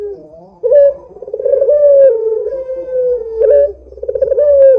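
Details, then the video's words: Cooing from an active Barbary dove (puter) played as a lure so other doves will call: a purring, rolled start leads into a long, even, hollow coo, followed by another stuttering burst. "Suara Burung PUTER Gacor ini Paling Ampuh Untuk PANCINGAN Puter Agar BUNYI"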